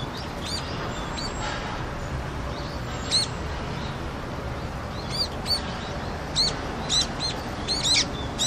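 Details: Wintering brown-eared bulbuls visit a rooftop in Seoul, South Korea, on a freezing February day in 2020 to drink water; scattered sharp, high-pitched chirps, often paired, spaced irregularly over constant urban background noise.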